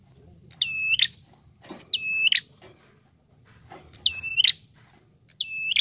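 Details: Bar-winged prinia calling in a recording used to lure birds: four high, steady whistles with buzzy tails, given in uneven pairs, the gaps between them varying, over a light low rumble.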